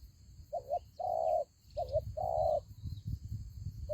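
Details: Spotted dove calling in a fighting trap that uses a ground decoy bird: low mellow coos, each a short two-part note followed by a longer sustained coo, repeated in phrases over a low rumbling background and a steady high insect-like hum.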